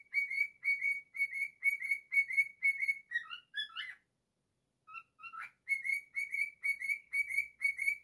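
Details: Pet cockatiel performing its take on a familiar children's song: rhythmic paired whistles about two per second, broken by a rising run of notes and a harsh chirp, a brief silence, then the paired whistles resume.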